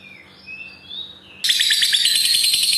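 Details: Lovebird ngekek, the long trill used to train lazy or stalled lovebirds: a few thin, rising whistles, then an abrupt, loud, rapid chattering trill that runs on to the end.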